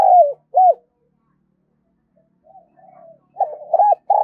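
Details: Decoy spotted dove calling to lure wild doves; low hooting coos clipped at both ends, with soft muffled murmurs in the gap before a stronger burst of coos near the end.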